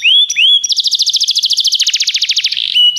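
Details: Short burst from a Belgian canary tutor bird: two rising whistles, then a rapid pulsing trill of evenly spaced notes lasting about two seconds, finishing with a level held whistle.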